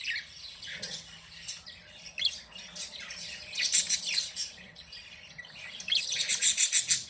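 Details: Pet budgerigars, happy and playing, chirping in fast twittering runs that grow louder and more rapid toward the end.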